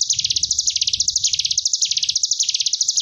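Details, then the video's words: Ngebren gelombang tawon song of the Sunda bush warbler, made to train young caged birds: a dense, rapid, high-pitched buzzing trill with a slow wave-like pulsing, running without pause. "Cigun Ngebren Gelombang Tawon Jeda || Masteran Ciblek Gunung 30 Menit"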